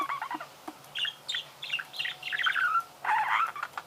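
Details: Warbling budgerigar: scratchy chirps, clicks and short whistled slurs delivered in uneven bursts, ending with a dense chattering phrase.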